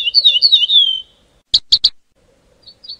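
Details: Ortolan bunting (Emberiza hortulana), call.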